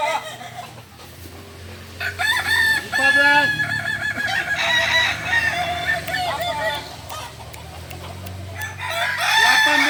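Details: Competing balenggek roosters in Ampang Kualo, Kota Solok, crowing in a practice contest; overlapping stepped crows build after a quieter start, with a low hum and murmured speech in the background.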